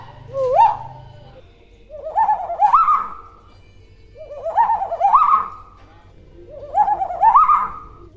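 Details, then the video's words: Tame common hill myna that talks with a clear voice, kept as a master bird for training others. The same wavering, rising speech-like phrase is repeated four times, roughly every two seconds, with quiet gaps between. "Burung Beo Jinak Pintar Ngomong Suaranya Jelas"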